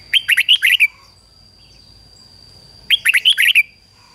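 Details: Red-whiskered bulbul decoy bird singing to lure wild bulbuls: two bright, chirpy, warbled phrases of about six quick notes each, roughly three seconds apart, over a steady thin high tone.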